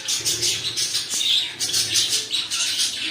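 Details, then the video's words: Pet cockatiels calling continuously with rough, scratchy chirps and squawks, repeated about once a second, over a faint low hum. "My Cockatiel Birds"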